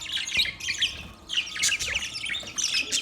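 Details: Chirping budgies give short twittering bursts and squeaky squawks in quick clusters, separated by brief lulls.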